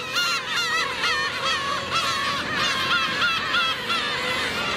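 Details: Adult black-tailed gulls attacking a chick, recorded on a 4K camcorder: nasal, harmonic mewing cries with wavering, bent notes repeat roughly three times a second, layered over a steady crowd of further gull voices.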